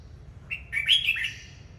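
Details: A single warbling phrase from a red-whiskered bulbul that sings while displaying, rising and falling clear whistled notes lasting under a second, with a faint low hum behind.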